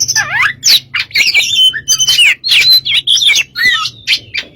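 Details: Song of a white-rumped shama, kept as a lure recording: rapid mixed phrases of rising and falling whistles, sharp buzzy notes and scratchy trills packed tightly together, over a soft low hum.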